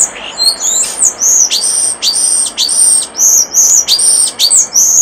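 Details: Common starling singing by a nest box: loud, high, squeaky whistled phrases repeated in quick succession, each with a sharp onset and a level buzzy tone, running almost without pause.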